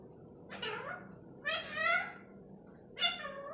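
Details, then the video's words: Parrot voicing three drawn-out, nasal, meow-like syllables with rich harmonics that rise and then fall, spaced roughly a second apart, against a low steady hum. "talking parrot"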